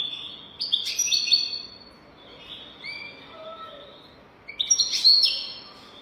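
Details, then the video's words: European goldfinch singing a golden-throat style song meant to teach other goldfinches: bright, high twittering phrases with buzzy trills, a short pause of softer descending notes, then another loud twittering burst. "تغريد رهيب طائر الحسون حنجورة دهبية لتعليم طيور الحسون"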